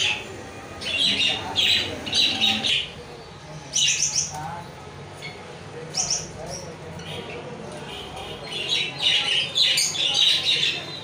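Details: Lovebird chattering in strings of rapid, high, squeaky chirps, busiest at the start and end, with a quieter stretch in the middle and a low background rumble throughout.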